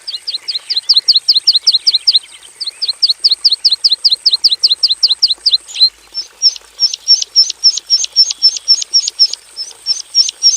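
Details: Caged in a simple aviary, a Javan bush lark pours out a full isian song: long rapid series of sharp high notes, a brief break, then a second run of clipped upslurred notes at a similar quick pace.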